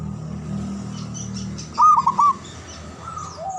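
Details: Local Javanese zebra dove, a loud, long-breathed singer used to prompt silent or stressed doves to sing. One short burst of rapid, rolling coos stands out against a steady low hum.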